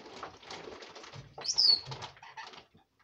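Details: Pet red lorikeet, a female, jabbering at bedtime: low scratchy chatter with one loud, sharp, descending whistled squeak in the middle, then softer mutters that fade out.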